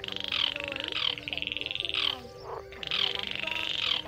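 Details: Baillon's crake, used as a lure for night trapping. Dry, rapid pulsed rattles about a second long come in repeated bursts with brief gaps. Low tonal croaks and hum sit beneath.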